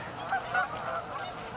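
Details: A brief burst of dense, overlapping goose honks from the Canada goose flock staging on Amber Trails Lake, Winnipeg, with one louder call at the very end.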